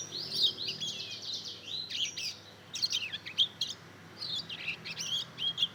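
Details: At two months, a mozken chick, bred from a Mozambique canary crossed with a canary, practises song in short bursts of high twittering chirps separated by brief pauses.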